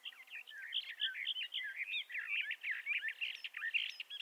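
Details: Continuous song of a Bendire's thrasher: a long, run-on stream of varied chirps, slurred whistles and squeaky notes delivered rapidly and unevenly for the whole four seconds.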